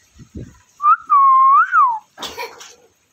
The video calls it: Ringneck Parrot Sounds | Natural Parrot Sounds | Parrot Calling Sounds